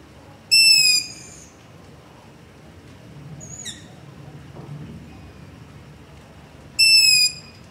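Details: Long-eared owl giving its begging call at night close to a house, ZOOM H5 and LOM Usi Pro recording: two loud, piercing squeaks about six seconds apart, each roughly half a second, with a faint shorter squeak between them and soft background rumble.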